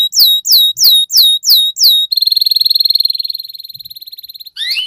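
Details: Gacor canary song, used as masteran to teach young canaries: six loud downsweeping whistled notes, then a long, steady rattling trill that gradually fades before a brief rising phrase.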